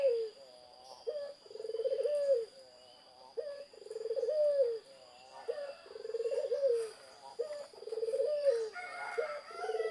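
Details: Zebra dove singing vigorously, with phrases of a sharp rising note and a long rolling, pulsed coo repeating about twice every four seconds. Brief harsher calls from another bird come near the end, with a constant high whine throughout.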